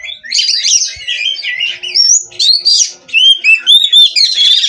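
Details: Energetic song of a captive Oriental magpie-robin (kacer): chattering, buzzy phrases followed by a series of clear rising whistles repeated in short bursts.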